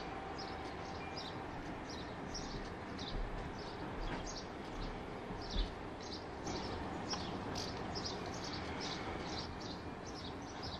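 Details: Black redstart nestlings, in May 2020, in a nest built in a cavity or hole in a building, give thin, high squeaky calls several times a second over a steady low rumble like passing traffic or a train.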